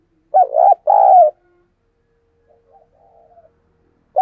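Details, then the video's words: Caged decoy dove cooing to attract wild doves: a strong two-part coo, the first note short and wavering, the second longer, then a faint soft murmur and the start of another coo. "Chim Cu Mồi Thúc Gù Và GÁY Gọi Bổi Nghe Siêng Gáy"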